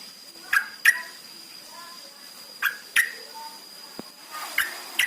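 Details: Yellow-vented bulbul lure recording, played to prompt caged birds to sing: sharp chirps sliding downward, given in pairs about a third of a second apart, with pauses between, over a steady high electronic whine.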